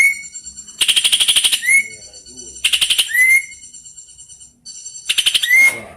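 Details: A tame greater green leafbird, a district contest champion, sings its long, fast roll. Three loud bursts of rapid, rattling, buzzy trill each end in a clean, rising whistled slur, with short pauses between bursts.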